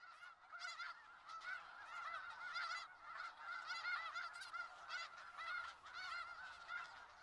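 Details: Snow geese in Skagit Valley, a large flock calling together in a dense continuous chorus of nasal honks with stacked harmonics, overlapping calls rising and falling in loudness throughout.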